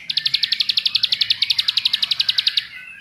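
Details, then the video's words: Bar-winged prinia singing as a lure to make other prinias sing, giving a fast, even run of sharp, high chips for about two and a half seconds before trailing into quieter twittering. "Pancingan Jos Terbukti Membuat Ciblek Lain Gacor Ngebrennn"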